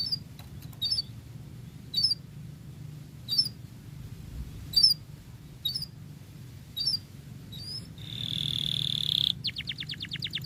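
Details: Canary in lively 'gacor' singing with rich fill and sharp bursts, used to draw other canaries into song: short high chirps repeated about every second and a half, then a sustained buzzy note and a fast rattling trill.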